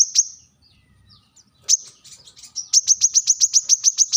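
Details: Sharp rival-summoning call of a brown-throated sunbird: a thin high note, a pause with faint scratchy notes, then a fast run of about ten piercing, evenly spaced chips.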